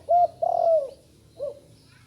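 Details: Young spotted dove practising its call: a brief low coo, then a longer hollow coo falling in pitch, then a soft short coo after a pause. Recorded in dim light with a quiet hum behind.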